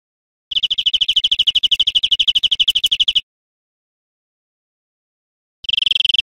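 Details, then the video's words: European greenfinch song from a teaching recording for cage birds: a fast, even trill of high notes lasting nearly three seconds, a pause, then a second trill starting near the end. "Canto Verderon"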